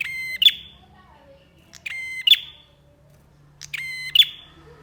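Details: Prinia, named bar-winged, singing steadily for a training and lure recording: three rasping, harmonic buzz notes roughly two seconds apart, each ending in a piercing high tick, with a low background hum.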